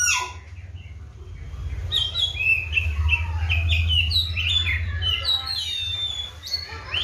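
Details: Oriental magpie-robin, a kept bird fed seven crickets and bathed morning and afternoon, singing a varied run of sharp whistled and slurred notes rising and falling, with a steady low hum in the background.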